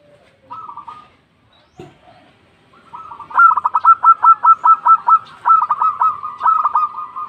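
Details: Local zebra dove, a lively caller, calling out to others. After a couple of soft, isolated notes comes a fast, rolling series of staccato coos, around a dozen per phrase, broken by a brief pause before another rapid run.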